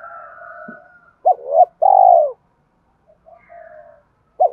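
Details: A spotted dove's coo sequence for training decoy birds: a short double note, then a long falling croo, framed by softer higher tones and the start of another phrase.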